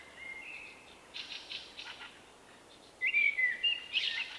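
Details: Unusual-voiced male Common Blackbird singing in March 2024. Faint fluty notes and scratchy bits open, then a loud rich whistled phrase with quick warbling inflections and a high squeaky ending.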